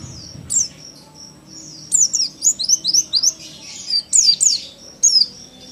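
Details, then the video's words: A young Oriental white-eye kept at home sings very high, thin notes, with bursts of quick sliding chirps that come in rapid runs and then short pauses, over a faint low background hum. "PLECI PAUD NEMBAK"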